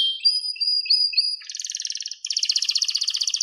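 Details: Canary singing a string of short whistled notes, then two dense rolling trills, the second louder and rapidly pulsed.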